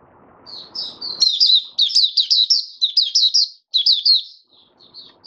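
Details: Oriental white-eye kept in a cage, singing openly on the fifth day after monthly deworming, 20 January 2022. It gives a fast, bright string of high twittering notes with short gaps, after a brief low rumble at the start.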